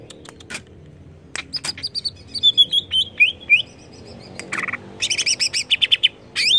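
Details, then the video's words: Greater green leafbird stirred by a lure: scattered clicks, then a string of thin rising whistles, a brief buzz and a burst of rapid twittering notes. "AMPUH PANCING CUCAK IJO JADI EMOSI"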